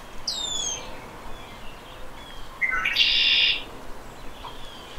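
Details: Red-winged blackbird male giving its conk-la-ree territorial and courtship song: a thin descending whistle, a pause, brief rising introductory notes, then a loud shrill buzzy trill held for about half a second over soft background hiss.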